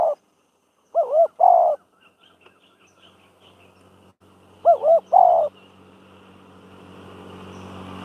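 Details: Spotted dove kept as a decoy for pen-trapping training. Two phrases about four seconds apart, each a low, trembling, wavering coo followed by a longer, smoother coo. The pauses between them are quiet, with faint hum and a slight hiss rising toward the end.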